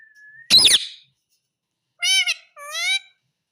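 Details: Pet Indian ringneck parakeet talking, saying "mummy": a harsh rasping squawk, then after a pause two clear, voice-like harmonic syllables, the second with a slight falling inflection.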